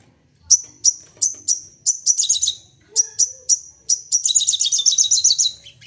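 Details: Agitated crested jay firing off calls in quick succession to draw others into calling: sharp high notes spaced about a third of a second apart, then dense rattling bursts of rapid chips.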